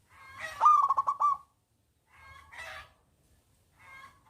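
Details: Local zebra dove with a loud, big voice, its song used to lure lazy doves into singing: a rapid run of pulsed, throaty coos, then two softer, rougher cooing phrases after short pauses.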